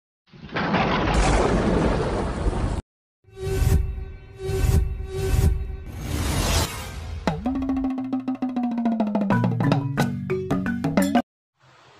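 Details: A burst of noise gives way to loud drumming and then a tonal musical riff, with no animal voice heard.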